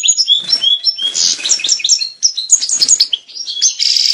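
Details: A European goldfinch sings its breeding-condition song, a rushed jumble of sharp tinkling notes, upslurred whistles and buzzy fragments, closing on a harsh sustained buzz.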